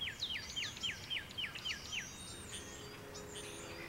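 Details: Common redstart singing: a run of about eight clear, downward-slurred whistled notes repeated quickly and evenly over two seconds, followed by a higher, scratchy, jumbled twitter, with faint background hiss.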